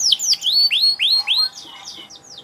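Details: Canary singing: a brief burst of loud upswept and downslurred whistled notes, about six in quick succession, fading into softer, higher slurs.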